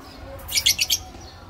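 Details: A small family of parrots: a quick burst of four shrill, high chirps packed into half a second, over a faint low hum.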